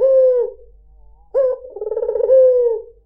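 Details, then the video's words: Puter putih cooing: the tail of a smooth low coo, a pause, then a short bright upward note followed by a pulsing, throaty roll that flattens into a long falling whistle-like tone. "PANCINGAN SUARA BURUNG PUTER PUTIH || SUARA BURUNG PUTER MERDU"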